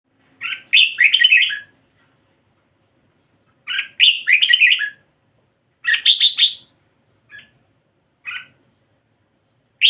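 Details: Red-whiskered bulbul with a pied (patchy white) head singing: bright, warbling phrases of quick chirped notes, each phrase about one second long, repeated roughly every two and a half seconds with short single notes between; quiet background.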